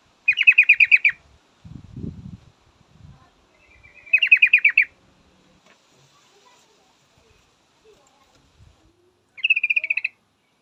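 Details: Female yellow-vented bulbul calling a male with three separate bursts of fast chattering trills spaced several seconds apart. Faint low thumps are heard between them.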